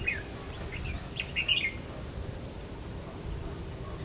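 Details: Red-whiskered bulbul decoy luring rival birds toward a trap, 5 July 2016; one burst of rapid chirpy warbles at the start, then only a loud droning insect hiss.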